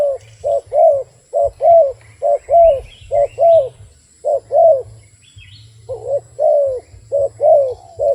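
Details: Rapid run of cooing from a wild dove, paired notes at about one per second with a short pause midway; faint higher twitters and a low hum also present.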